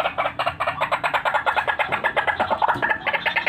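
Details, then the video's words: Lure recording of a white-breasted waterhen giving steady, rapid, hoarse croaks, roughly four a second and evenly loud throughout, over a quiet room-like background. "RUAK RUAK GACORAN"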